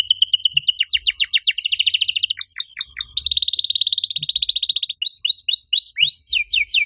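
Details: Canary master song for training canaries that have stopped singing: a varied continuous stream of fast sweeping trills, buzzy rolls and bright downslurred whistles, changing phrase every second or so, loud and unbroken.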